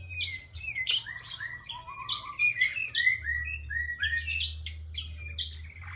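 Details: Bar-winged prinia in lively, sustained song: dense runs of high chirps and downslurred whistled notes, with a few lower slurred notes and a constant low hum.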